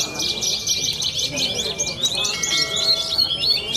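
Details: Song of a young contest bushlark from Cilacap, Indonesia: a fast, unbroken jumble of high twittering and buzzy notes over a thin steady whistle, with murmuring background sounds.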